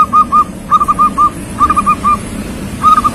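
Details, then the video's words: A young local zebra dove, already a keen singer, gives soft, rounded cooing notes in quick bursts of three or four, each phrase repeated about every second, over a faint low hum. "perkutut lokal gacor masih muda sudah gacor"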